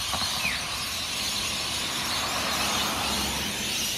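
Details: Shrill massed chatter of hundreds of rainbow lorikeets around their beachside Norfolk Pine roost at Burleigh Heads, Gold Coast, Australia, before sunrise, with some lower rumbling background noise beneath the steady screeching.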